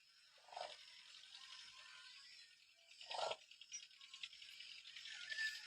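Demoiselle crane giving two short, rolling, croaky rattles about three seconds apart, set against a steady hiss of wind or background noise.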